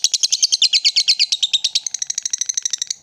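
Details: Lovebird calling excitedly in ngekek chatter after provocation: a rapid series of harsh, shrill notes that shifts midway into thinner, quicker high squeaks, continuous throughout.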